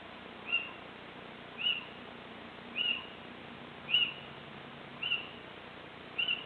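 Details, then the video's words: Little owl calling on 26 March 2014, mostly out of view; short sharp high yelping notes repeated about once a second, six calls over a steady low background hiss. "Steenuil roepen 26 maart 2014 (little owl)"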